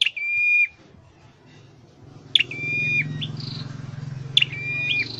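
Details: In a cage for singing practice, a scarlet-headed flowerpecker utters three clipped-onset steady whistles spaced about two seconds apart over a constant low mechanical hum.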